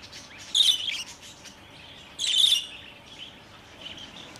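Budgerigar giving two bursts of scratchy, chattering chirps about two seconds apart, with softer twitters between and faint background hiss.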